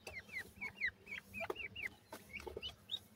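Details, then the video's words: Grey francolin (gora teetar) chicks from India calling: clear, high, down-slurred peeps in a rapid series, some softer, over a quiet background with one or two low clucks. "grey pheasants chicks sweet awaz,indian gora teetar chicks"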